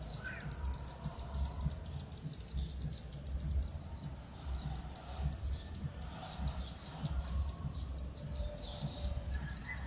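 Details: A Red-keeled Flowerpecker, a Philippine endemic of forest canopy, edges and flowering trees, gives very high, thin ticking notes in fast runs, then scattered sharp clicks, over a steady low rumble; recorded at Bued River, Northern Philippines, on 25 December 2020.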